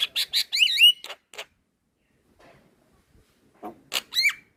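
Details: Black-winged myna, white-eyed type, in a cage-bird training recording: harsh rasping notes followed by wavering whistles, a silent gap, then more rasps and a rising-falling whistle.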